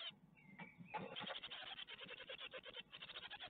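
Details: Great tit chicks at a webcam nest in Ostwald, 12 May 2021, being offered a spider; a faint thin whistle gives way to a continuous dense chatter of high, rasping begging notes, with fluttering and shuffling sounds.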